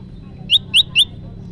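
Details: Three loud, bright upslurred notes from an olive-backed tailorbird, spaced about a quarter second apart, played as a trapping lure, with a low murmur of background noise.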